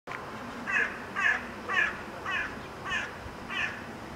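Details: Crows gathering together in September, giving a series of harsh caws repeated roughly every half second, six calls in steady rhythm over faint background noise.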